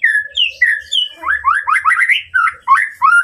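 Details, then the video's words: White-rumped shama singing to provoke a rival: loud, varied whistled phrases, some falling and some rising, then a quick string of upward-slurred notes repeated about three times a second. "masteran murai batu untuk memancing emosi lawan"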